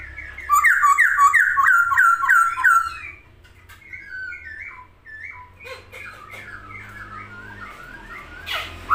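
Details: Masked laughingthrush singing energetically with wings spread: a rapid, regular string of rich rising whistles for about three seconds, then quieter wandering warbled notes and a sharp final burst.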